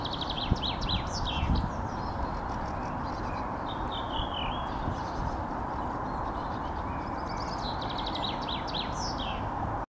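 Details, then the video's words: Redwing song in Helsinki, Finland, May 2013: short descending fluty phrases breaking into scratchy twittering, repeated among other birds' chirps over a steady low rumble of wind or distant traffic. "Song of Redwing, and sounds of other birds"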